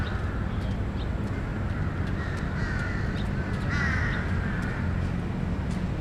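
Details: Several crows in a park in Bangkok give hoarse, drawn-out caws in two separate bursts over a steady low rumble of distant city traffic.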